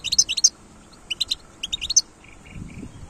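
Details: Wild European goldfinch song from 2022, three quick clusters of sharp, liquid twittering notes, then a few softer, lower buzzy notes near the end.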